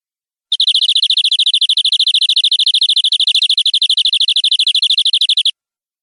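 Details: Vigorously singing 'gacor' canary, 'nembak' style, from a tutor recording: one sustained buzzy trill of rapid identical notes, roughly ten a second, ringing and even, lasting five seconds before stopping cleanly.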